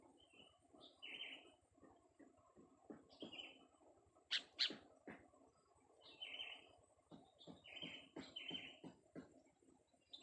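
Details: Young sooty-headed bulbul being tested for its voice, giving short bright chirping notes at irregular intervals, with two sharper louder chirps midway, over a steady low clicking and rattling background.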